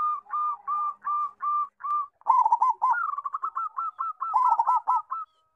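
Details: A loud-voiced local zebra dove, used to tutor young birds, sings in brisk repeated coos: evenly spaced hooked notes at first, then faster tumbling phrases where a second lower cooing voice overlaps.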